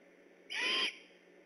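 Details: Single harsh, breathy screech under half a second long with a thin whistled tone inside, from a great horned owl calling on alert by an eagle nest in Decorah, night of 3 October 2015.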